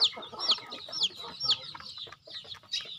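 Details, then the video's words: During feeding on a home farm, loud high peeps drop steeply in pitch, spaced about half a second apart, with quieter chirps in between. "Feeding chicken in my farm"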